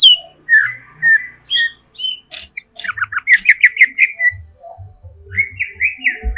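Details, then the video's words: Agitated greater green leafbird song of varied whistles, sharp chirps and rapid stuttering notes, some rising and falling, closing with a string of repeated slurred notes; low thumps and knocks below. "SEKETIKA CUCAK IJO INI EMOSI"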